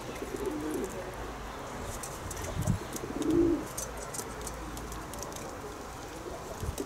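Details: Kept pigeons giving low, soft cooing: a murmuring coo near the start and a short, louder coo around the middle, against a steady outdoor hiss and faint scattered clicks.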